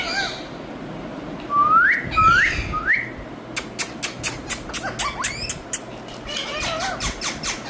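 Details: Indian rose-ringed parakeet in training to talk: three loud rising whistles in quick succession, then a run of sharp clicks and a few short curving squeaks against low background hum.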